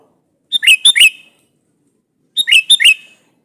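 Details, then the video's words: A sooty-headed bulbul calls out a rival, trying to draw an answer. Two brisk phrases of clear, bubbling notes dip and rise quickly, separated by nearly two seconds of quiet. "SUARA BURUNG KUTILANG GACOR MEMANGGIL LAWAN INI"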